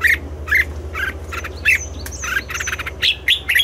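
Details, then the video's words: Red-whiskered bulbul morning song in the double-note, mature wild-bird style: short chirped notes repeated about every half second, later joined by thin high whistles and a lively run of slurred phrases, all over a constant low hum. "Luyện giọng cho chào mào hót sáng, ép chào mào hót âm kép già rừng hay tuyệt!"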